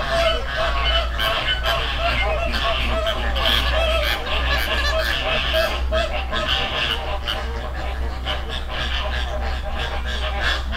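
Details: River flock of wild flamingos, Dominican Republic. Steady nasal honking and chattering from many birds, about two to three notes per second with occasional sharper cries, above a persistent low rumble of water or wind.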